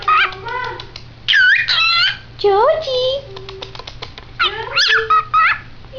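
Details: A pet cockatiel sings a chattering run of bright whistles, swooping notes and speech-like phrases, reportedly saying his own name.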